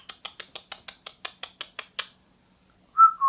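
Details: Young male vosmaeri eclectus parrot, about two years old, a free-flying household pet making funny sounds: a fast run of about a dozen sharp, evenly spaced clicks, then after a pause a loud, clear whistled note that dips slightly.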